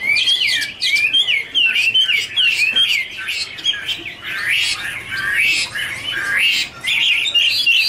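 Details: Chinese hwamei (Garrulax canorus) in a duet with dancing and wing flicking, pouring out a dense, rich warble of looping whistled slurs and rapid chattering notes, one phrase running into the next with only brief pauses.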